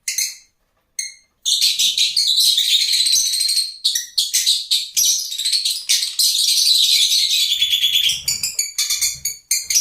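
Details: Lovebirds: dense, shrill high-pitched chattering and squeaky chirps in near-continuous rapid bursts, after a brief pair of short calls and a gap at the start.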